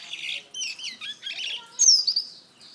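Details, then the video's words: Black-throated canary giving softer, buzzy warbled phrases with short chirps, ending in a clear, bright, high whistled slur. "Burung Blackthroat: Kicauan Indah dari Afrika"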